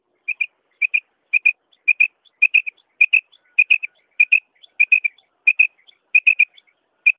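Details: Female quail calling, a call used for hunting: short high chirping notes, mostly in pairs or triplets, repeated about every half second in a steady series over a quiet background.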